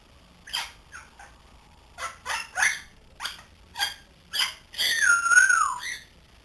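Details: Pet grey parrot aged three months, learning to talk, makes a run of short raspy harmonic calls roughly four per second, ending in a longer wavering whistled tone that drops in pitch.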